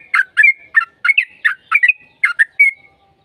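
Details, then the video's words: Lure song of a sooty-headed bulbul, played to make another bird answer: rapid bubbly, gurgling notes in pairs and triplets, ending on a clear drawn-out whistle that fades. "PANCINGAN TRUCUKAN AGAR CEPAT BUNYI"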